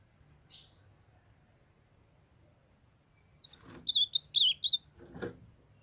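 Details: Young male ultramarine grosbeak, kept with a female that calls to warm him up, sings a quick burst of about six high, slurred whistled notes near the end after a soft chip, with faint knocks.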